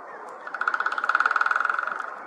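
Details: White-backed woodpecker drumming: one rapid burst of about twenty-five evenly spaced strikes over roughly 1.3 seconds, slowing slightly and fading at the end, over a steady low background rumble.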